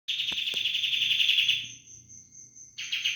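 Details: Sooty-headed bulbul giving a 'roll bren' song: a dense, buzzy rapid trill lasting about a second and a half, breaking off to a thin steady high tone, then rushing back in loud and fast.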